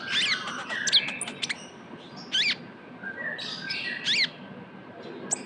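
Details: Young Van Hasselt's sunbird (kolibri ninja) for luring, giving loud high twitters and three brief zigzag buzzy phrases spaced about two seconds apart.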